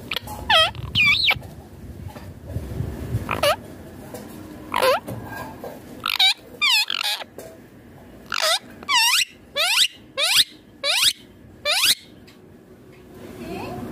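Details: Indian ringneck parakeet, a green talking parrot, screeching repeatedly, with harsh arched calls coming about once a second in the second half, and low background voices early on.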